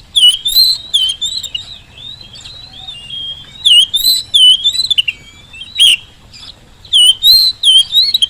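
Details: Oriental magpie-robin song used as a lure for reluctant birds at home or in the field: long runs of loud, varied whistled and warbled phrases with sharp chips, broken by brief quieter gaps.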